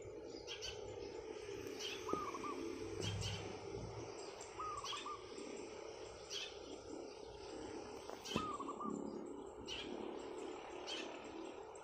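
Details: Rooftop morning song of a wild zebra dove: three short, low, trilled coo phrases spaced about three seconds apart, among frequent high chirps and ticks from other birds and a soft background hum.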